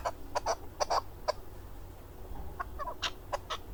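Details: A male hunting chukar partridge in Darvoz, Tajikistan, recorded in 2020, gives short, clucking notes in irregular bursts, some doubled, with brief pauses between.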